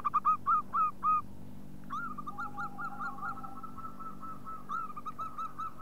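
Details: Local zebra dove lure call: a few loud, separated arched hoots, then a long, softer rippling trill of quick coos over a steady low hum.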